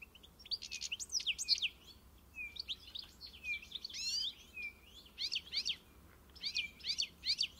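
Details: European goldfinch singing in the encarte style: a lively, nearly continuous twitter of ringing chirps, buzzy drawn notes and quick trills, rising and falling in loudness over a faint hum.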